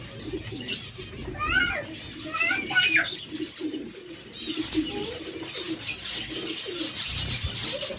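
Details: Zebra finch calling while eating seeds: short nasal arched notes rising then falling, in two bursts close together, over steady high twittering chatter from many other birds.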